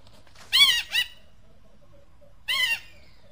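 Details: Eagle giving short harsh arched squawks, two close together, then another after a pause, with faint background murmur.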